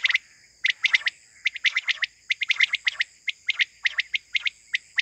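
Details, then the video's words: Quail calling in the morning, recorded for hunting: sharp clicky chirps in quick pairs and triplets, repeated steadily through the clip over a constant high electronic whine. "batair sound for hunting || quail moring sound 2023"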